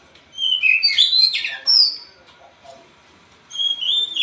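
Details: White-rumped shama singing energetically: bright, high whistled phrases sweeping up and down, with quick slurred notes, a pause, then a fresh burst of rising whistles.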